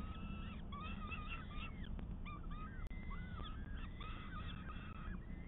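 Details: Peregrine falcon on a live camera, 12 May 2022: repeated tonal, down-curving wails and shorter chips in quick succession, with a steady low rumble and a brief click near the middle.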